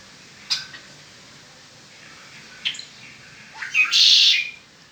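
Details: Pet red-winged blackbird delivering its song indoors: sharp isolated clicks, then two quick rising notes running straight into a loud, rasping, buzzy trill of about half a second.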